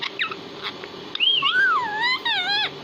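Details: Parrot said to speak Hindi: a few quick clicks, then a clear rising-falling whistle sliding into two drawn-out, nasal, harmonic speech-like syllables that dip and rise again.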